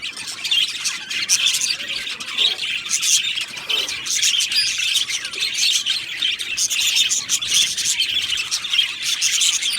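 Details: Many budgies in an Australian parrot aviary colony keep up constant shrill chirping and chattering warbles, overlapping voices forming an unbroken, lively high chorus.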